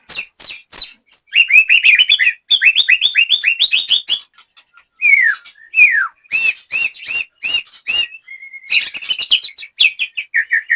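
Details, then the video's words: Caged white-rumped shama in training from Banyumas, Central Java, Indonesia: loud varied whistled song of clicks, rising and falling slurs, a run of repeated looping notes and descending phrases, with sharp percussive ticks between. "BURUNG LATBER MURAI BATU JAMBRET"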